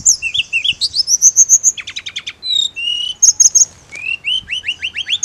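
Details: Mountain leafbird song played as therapy for a bird that only chirps: rapid rising slurred notes, buzzy chip series and sharp high whistles in quick succession, with a steady fast delivery.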